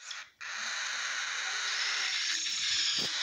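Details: Three sibling cockatiel chicks aged 20, 24 and 26 days, just after their first morning meal, make a steady, raspy hissing that runs almost unbroken for about three seconds after a brief pause.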